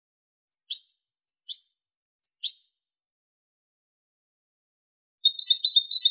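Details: European goldfinch singing clean song, 2023: three paired, sharp down-slurred chirps a second apart, a pause of over two seconds, then the start of a loud, fast, tinkling twittering phrase, with no other noises.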